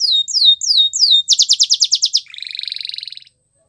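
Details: Canary song recorded to train young canaries: four sweeping down-slurred whistles, then a rapid trill of short bright notes, then a softer buzzy rolling trill that fades out.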